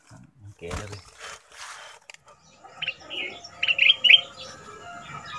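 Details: After a few clattering knocks, a caged Red-whiskered bulbul from southern Thailand, used as a decoy to train young birds, sings a short burst of bright, hurried notes in the fierce double style, then quiets.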